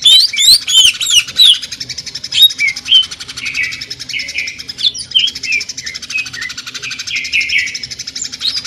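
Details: Greater green leafbird in the jamtrok tembakan style, said to sound like a sewing machine. It opens with a fast burst of sharp, high chirps, then steady mechanical buzzing under short downslurred whistles repeated several times a second.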